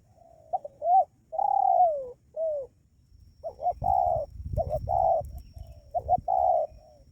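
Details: Decoy call of a spotted dove, used to attract wild birds, with repeated phrases of short hiccuping double notes followed by long, mellow, drawn-out coos. A low rumble sits beneath the middle section.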